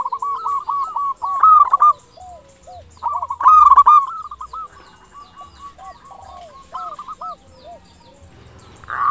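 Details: Local zebra doves, recorded as a lure to get other doves calling back: several fast rolling bursts of clear cooing notes, answered by a lower dove with a steady series of slower looping coos between the phrases.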